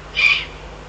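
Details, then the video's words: Eurasian eagle-owl in the Eifel, 22 June 2012, giving one brief breathy rasp that swells and fades within about a quarter second, high and hiss-like, over a low constant hum. "eifel uhu"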